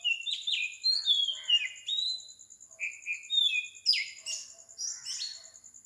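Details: Oriental magpie-robin song at 4 am on a tropical island in Sri Lanka, a lively sequence of whistled slurs and short notes with a few harsh, buzzy bursts, over pulsing insects.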